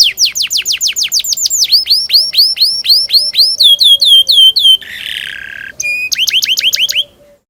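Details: Canary song used as a lure to train young canaries to sing: long runs of rapid descending whistled notes, about four per second, shifting into varied tour phrases with a brief harsh buzzy section, loud and clear.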